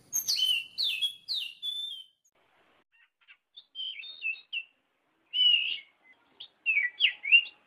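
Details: Oriental magpie-robin song for training caged birds: sharp swooping whistles, then short soft chirps and twittery fragments separated by brief silences, growing louder toward the end.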